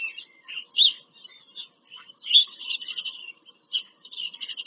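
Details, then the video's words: Bald eagles visiting their nest in Pennsylvania farm country, from a live nest camera on 5 February 2023. Sharp high yelps are followed by rapid, stuttering strings of short notes, repeated twice. "bieliki - wizyta w gnieździe"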